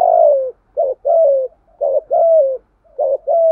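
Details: Spotted dove cooing in the "thúc gù" manner, deep "giọng thổ" voice, to excite a decoy bird: rapid phrases about once a second, each a short note followed by a smooth, falling coo.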